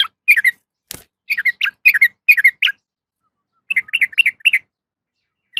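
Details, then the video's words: A female sooty-headed bulbul calls to a male: pairs and triplets of sharp, downslurred chirps, broken by a brief click, then a steady run of five quick notes. "suara trucukan betina memanggil jantan"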